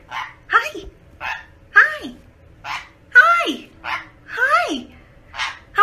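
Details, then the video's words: Talking pet parrot giving short, speech-like syllables, some dipping down in pitch, repeated roughly once a second in an uneven rhythm inside a quiet room. "PARROT TALKING VIDEO COMPILATION (2021) | Parrot Singing"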